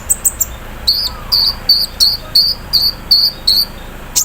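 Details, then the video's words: Morning song of a caged sunbird set out in the dew: a regular series of short, high, slightly buzzy chirps, a few quick notes followed by evenly spaced ones about three per second. "KONIN KELUAR ISIAN MESIN BORDIR, CERRR SAAT DI EMBUNKAN PAGI HARI"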